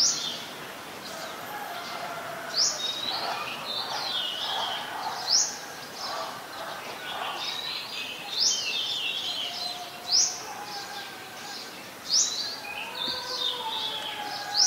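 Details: Olive-backed sunbird calling in mangrove forest at the Sirinath Rajini centre: thin, high rising chips repeated every two to three seconds, mixed with busy twittering and whistles from other birds and a constant insect hiss.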